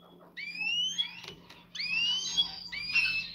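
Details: A canary during mating, with the male excited and pressing the female to take the mating position, gives three drawn-out, rising whistled phrases, each close to a second long and slightly buzzy, over a faint low indoor hum.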